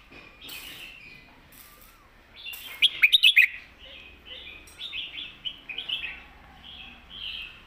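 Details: Red-whiskered bulbul, praised as loud and golden-voiced, singing in the southern Thai master song style: short warbled phrases, then a bright burst of rapid, sharp notes at midpoint, followed by softer rising whistled phrases with other chirps behind.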